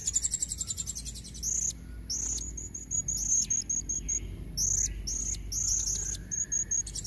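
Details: Female blue-crowned hanging parrot calling for males: an opening fast shrill trill, then repeated sharp high chirps and short twittering phrases, steady through the seven seconds.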